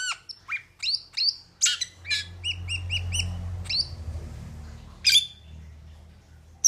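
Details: Metallic starling uttering loud chirps and downslurred squeaks, including a quick series of short paired notes, with a low rumble of background noise beneath and a sharp burst near the end.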